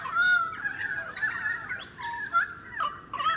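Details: Pied currawong, Sunshine Coast suburbs, Queensland, February 2018, giving a run of loud rolling, gurgling whistles that slide up and down, with a clear ringing note at the start and end.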